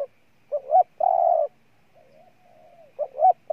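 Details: Spotted dove, Ninh Thuận, Vietnam: two short rising notes and a long steady coo, then soft, low murmuring notes before the double note starts again.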